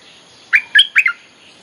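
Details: Short bulbul phrase from a lure recording for calling wild birds: three or four liquid, slurred notes delivered quickly, clear and close.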